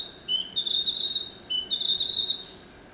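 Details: Narcissus flycatcher song in two similar phrases, each a short lower whistle sliding into a longer, ringing high note, with near silence behind.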